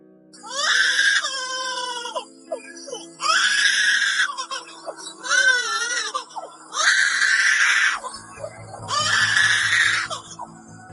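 Superb Lyrebird giving five harsh, screeching bursts about a second long, roughly every two seconds. A low musical hum comes in near the end.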